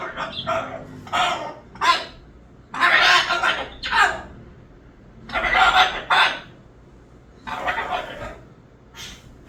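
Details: Harsh, grating screams from a Moluccan cockatoo, delivered as a quick run of about nine rasping bursts of uneven length, some doubled, separated by short pauses.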